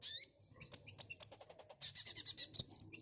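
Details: ['Sunbird song used as a lure to draw a fast response: rapid bursts of very high, thin chips and trills, a brief pause near the start and mid-way, then a dense run of sharp high notes.']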